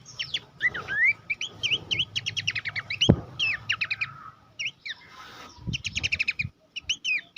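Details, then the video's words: Horsfield's babbler song recorded as training material for competition songbirds. Varied whistled upsweeps and staccato chirp runs come in bursts separated by short pauses, with a sharp knock near the middle and faint thuds later. "masteran mewah khas pelanduk semak cetak jawara dilapangan lomba"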